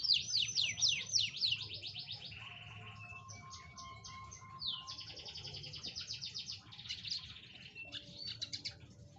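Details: Lively canary song meant to stimulate a silent canary: quick whistled notes, then varied trills, a pure steady tone, clipped chips and rolling buzzy phrases in a continuous flowing run.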